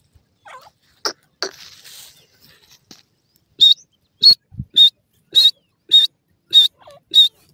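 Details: A partridge (jungle francolin) feeding in a forest gives a run of about eight short, sharp, high notes, roughly two per second, after an opening of soft, scratchy rustling and faint chatter.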